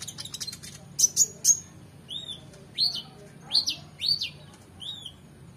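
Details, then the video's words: Oriental magpie-robin singing for competition-bird training: a fast stuttering burst of high notes, three loud ringing whistles, then a series of arched, rising-and-falling whistles repeated at roughly half-second intervals. "KONIN GACOR EMOSI FULL BONGKAR ISIAN MEWAH‼️Cocok Untuk Masteran Burung Lomba"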